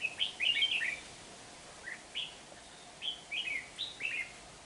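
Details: Red-whiskered bulbul used as a decoy while trapping, singing to fight, at Rừng Giang on 12 March 2019: bright, warbled, rising-falling phrases, several quick bursts then spaced single notes about every half second, over a quiet hiss.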